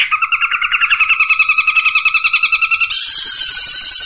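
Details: Long-tailed shrike training song in the 'tembakan unik' style: a quick, regular trill of mid-pitched notes, about three per second faster than counting, then a sudden loud, hissing, broadband burst.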